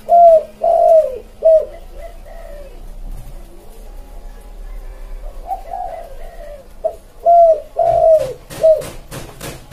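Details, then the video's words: Spotted dove song used to attract wild birds: a run of three or four mellow, hollow coos, a quieter stretch, then another coo series ending amid sharp rhythmic tapping noises. "Suara Tekukur buat pancing burung liar (koleksi) / suara pancingan burung tekukur"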